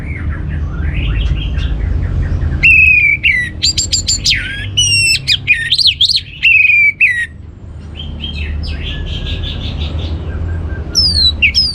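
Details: Orange-headed thrush song used to provoke other birds into singing: long loud phrases of rapid, varied whistles, rising and falling notes and harsh chips, with quieter rambling notes before and after.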